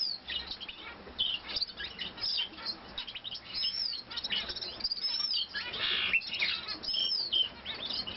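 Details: Long-tailed rosefinch during nest building, giving a busy run of short, high chirps and thin whistled notes, scattered irregularly throughout, over faint background hiss.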